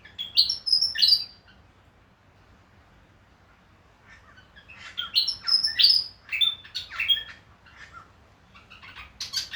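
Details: Far North Queensland, Australia: a Willie wagtail gives lively phrases of sharp, high, chirpy and whistled notes in quick bursts, with pauses of a second or more between phrases, against quiet surroundings.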